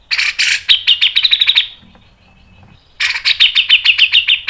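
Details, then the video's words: Grey-cheeked bulbul in full song, ngepik and nembak panjang style: raspy opening blasts running into a rapid pulsed trill, a quiet gap with a faint low hum, then another loud chattering run. "MASTERAN CUCAK JENGGOT MBESET NGEPIK NEMBAK PANJANG SPEED RAPAT | PANCINGAN cucak jenggot"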